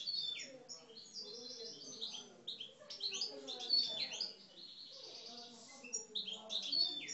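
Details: Algerian parva goldfinches in cages deliver an aggressive song of scattered high chirps and short twittered phrases, broken by brief pauses, with a few sharp piercing notes.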